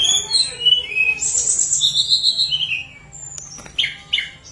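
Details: Lesser shortwing (tledekan gunung) in flute-like song for luring idle birds to sing: descending whistles, a long high shimmering trill and lower wavering notes, a pause, then two quick sharp chirps.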